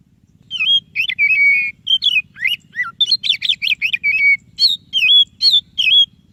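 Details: White-rumped shama, Indonesian kacer dada putih, singing a lively run of clear whistled phrases, rising and falling notes between buzzy trills and held tones, with a faint low hum beneath; used to prompt a quiet shama into song.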